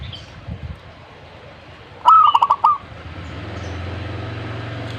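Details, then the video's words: Zebra dove singing one short phrase of about six quick, clipped cooing notes run together, over a low steady hum. "burung perkutut ini yang dicari"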